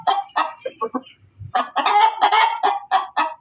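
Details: A hen cackling loudly: a few sharp clucks, a short pause with a low thud, then a sustained, harsh, drawn-out cackle followed by quick repeated notes.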